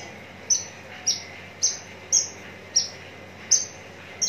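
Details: High, clear downslurred notes from a contest-ready Javan bush lark in Tangerang regency, Indonesia, seven notes evenly spaced about every half second over low steady hiss.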